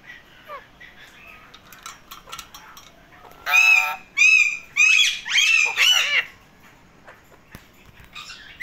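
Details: Indian ringneck parakeet in a happy mood, calling in a series of five loud, harsh, rasping squawks in quick succession after a quiet start with faint background chirps.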